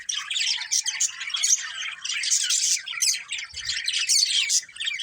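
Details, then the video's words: Budgerigars chirping together: dense, busy chatter of scratchy warbles and quick high chirps, overlapping almost without pause. "Cute Budgies Chirping Sounds"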